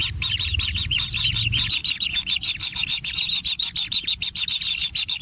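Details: Being fed in a natural nest, kingfisher chicks beg with rapid, harsh chattering notes, about three per second, growing more clipped toward the end, over a low rumble.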